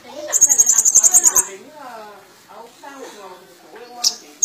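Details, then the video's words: Energetic kolibri ninja sunbird song rich in imitations, given while swaying; one long, very high, rapid pulsed trill opens, followed by lower quavering slurred notes and a short high chip. "Burung Kolibri Ninja Gacor Full Isian l Sambil Goyang Itik"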